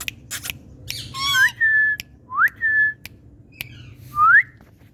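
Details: Indian ringneck parrots calling in India: clear whistled notes that sweep sharply upward and then hold level, given about once a second in short bursts, with a few harsh squawky clicks and sharp knocks between them, indoors.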